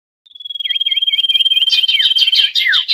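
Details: Common iora lure sound for trapping wild birds: a high, even, rapidly pulsed trill with a string of short dipping whistles layered over it, the notes growing busier and louder toward the end.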